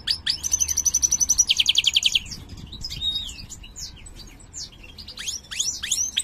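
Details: Large-form mutant European goldfinch, its singing called poor, delivering a fast high trill that shifts into a lower buzzing trill, followed by varied sweeping slurs and twittering chirps.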